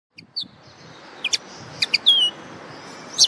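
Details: Common linnet singing: sparse high chirps and short clicks, one clear descending whistled note near the middle, a brief bright chirp at the end, over a faint steady background hiss.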